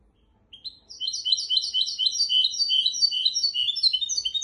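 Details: Teaching song from a goldfinch x canary hybrid for goldfinches and canaries: after brief quiet, a brisk cascade of high twittering notes and rippling trills runs without a break to the end.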